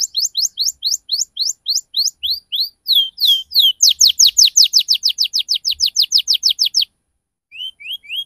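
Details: Canary lure song for young birds learning to sing, with 'ngriwik cuit cuit' notes: long run of sharp upswept chirps, several per second, speeding into a rapid even series before a pause and a few lower rising whistles.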